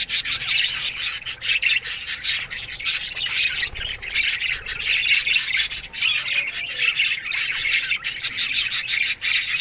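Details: Aviary colony of Australian budgies chirping in the morning, a continuous wall of overlapping squeaky warbles and chirps from many birds with no pauses.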